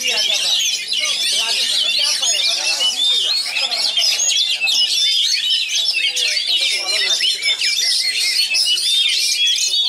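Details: A contest-grade Oriental magpie-robin from West Pasaman sings rapid, unbroken song: high, varied whistles, trills and chattering phrases packed tightly together for the full ten seconds.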